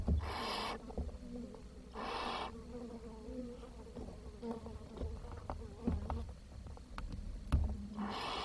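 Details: Barn owl chicks in a nest on 10 June 2023, with food too scarce to feed them all: three harsh, broadband hisses of about half a second each, widely spaced, over a low rumble with faint clicks.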